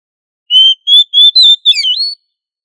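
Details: Kacer, the oriental magpie-robin, singing loudly in ngobra style for training: four level whistled notes on a slightly rising pitch, followed by a tumbling slurred note dropping and rising again in a long whistle.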